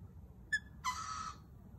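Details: A lorikeet at a kitchen window gives two harsh calls, a short sharp chip, then a longer grating, buzzy screech rich in overtones, over a low background hum.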